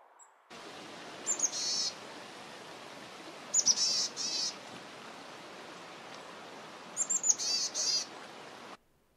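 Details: Boreal chickadee visiting a campsite in the boreal forest of the Boundary Waters Canoe Area Wilderness, northern Minnesota, in harsh conditions, giving three raspy chickadee-dee calls about three seconds apart, thin high notes then buzzy dees, over roaring wind.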